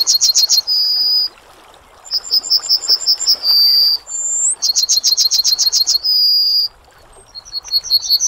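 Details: Yellowhammer song phrases follow one another with short pauses: rapid bursts of eight or so clipped high notes, each capped by a prolonged level note, with one rising whistle between them.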